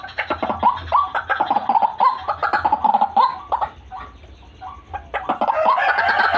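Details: Used as a bird lure, this white-breasted waterhen recording holds a dense run of rapid, clucking, croaky notes, about three per second, a brief lull, then a sustained nasal honking swell at the close.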